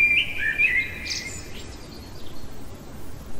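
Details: In the middle of the night a common blackbird sings a short run of clear whistled notes ending in a high thin squeaky flourish, with a steady low hum behind.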